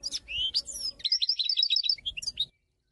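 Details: European goldfinch, from Morocco, singing a twittering phrase of fast high notes, then a run of rapid repeated chirps and a few final notes over a quiet background hum.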